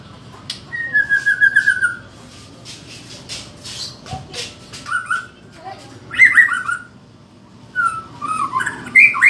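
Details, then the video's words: White-rumped shama of the Medan type in loud fighting-style (gacor tarung) song: clear slurred whistled phrases, some falling, delivered in short bursts separated by pauses, with some background noise between phrases. "Murai Batu Medan Gacor Tarung Volume ++"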